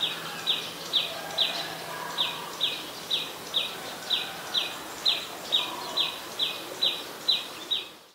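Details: Adult Common Tailorbird, a common resident, recorded in Ubon Ratchathani, Thailand, on 11 April 2022: a long series of loud, sharp, evenly spaced notes, roughly two per second, about seventeen in a row, over a faint steady background hum.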